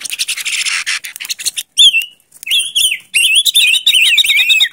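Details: Silver-eared mesia song: after an opening of scratchy rustling, clear warbled whistles rise and fall in wavering loops, ending in a run of rapid fluttering notes.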